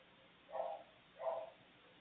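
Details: Live nest-camera sound of a maritaca parrot chick in the nest: a pair of brief, grating, nasal squawks roughly three-quarters of a second apart against a quiet, hissy background.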